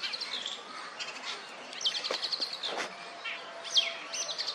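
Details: Courting oriental magpie-robin perched on a wooden stump, calling out to females: high whistled notes and rapid chip series, with two clear downslurred whistles, among faint background noise and other soft calls.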